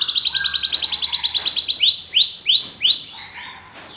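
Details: Belgian canary singing a fast, even high trill that breaks into four slower, loud rising sweeps before fading.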